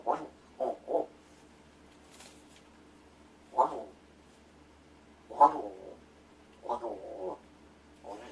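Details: A rescued pet Large-billed crow practises calls and words such as good morning and food when its owner pretends to sleep. Irregular short hoarse notes come singly and in pairs, with quiet gaps, in a small room.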